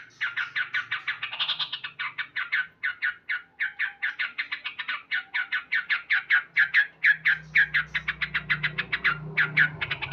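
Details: A male yellow-vented bulbul chatters loudly in the morning, a continuous fast run of sharp, scratchy notes with an early higher flourish, and low engine-like hum underneath later.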